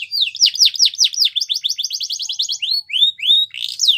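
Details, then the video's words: Champion canary song for training birds: quick series of down-slurred whistles speeding into a rapid rattling trill, followed by slower rising and falling whistled phrases. "Canary Training Champion Song"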